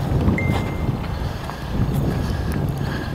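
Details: Steady low wind or engine rumble, with one brief thin chime-like tone near the start and no clear animal voice.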